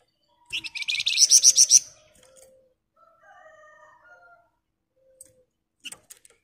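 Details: Sunda bush warbler, continuous dense ngebren singing: one strong burst of fast high pulsed notes, followed by faint wavering lower whistles and a few clicks.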